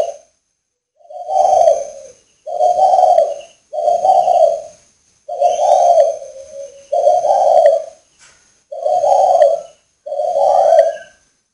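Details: Spotted dove from a northern Vietnam breeding establishment, recorded on a rainy day. About eight short, hoarse, low coos repeat roughly every second and a half, one ending in a trailing tail. Faint high tones sound throughout.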